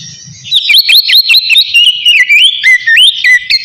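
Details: Oriental magpie-robin in full 'ngeplong' song, calling a rival and used as a lure to get other magpie-robins singing: loud, rapid run of bright whistled notes with quick upward and downward slurs, some buzzy, near continuous after a quiet start.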